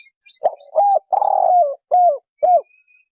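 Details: Spotted dove cooing in a clean phrase: a brief note, a level hoot, a long grating coo that falls away, and two final rounded coos, each about a third of a second, with faint high chirps behind.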